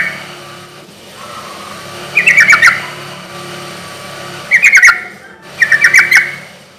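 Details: Lure song of a sooty-headed bulbul meant to provoke other bulbuls to reply: three short bubbly, chattering phrases spaced a few seconds apart over a steady background hum.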